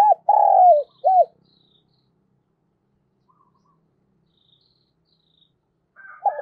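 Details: Decoy spotted dove luring wild birds gives a complete cooing phrase at the start: a long low coo sliding down, then a short note. Quiet follows, and another phrase starts at the very end.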